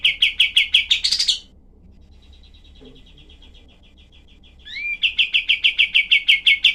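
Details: Cream-vented bulbul in a rough-voiced tutor recording for other songbirds. A loud, rapid string of sharp notes ends in a harsh burst, then a pause and a faint, soft run, before an upward slur starts another loud, fast volley.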